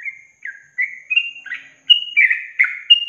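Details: Yellow-vented bulbul singing the long-trill style ('ropel panjang') used to train songbirds: liquid slurred notes in quick succession, some flat and some dropping, with brief gaps between them, over a clean background.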